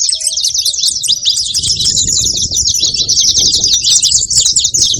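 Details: Constant high twittering chatter of saffron finches over a low rumbling background noise, with two short lower whistles near the start.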